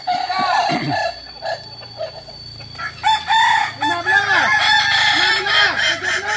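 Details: Kokok Balenggek roosters at a shared practice in Ampang Kualo, Kota Solok, West Sumatra, giving bursts of stuttering stepped crows with arched notes, pauses between, and overlapping callers later on.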